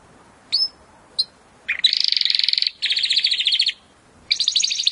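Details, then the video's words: Training song of a Timbrado canary, used to help canaries sing better: two short isolated chirps, then long fast rattling trills in three blocks separated by brief pauses, over a faint background hiss. "AUDIO mas PODEROSO de TIMBRADO para el ENTRENAMIENTO"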